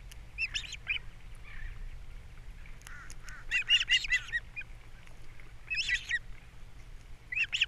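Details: Osprey pair at their Captiva nest on a camera, April 3, 2022, breakfast time, fish delivered and chicks being fed: scattered short whistled chirps, then clustered bursts of shrill, rising-falling notes, fairly faint.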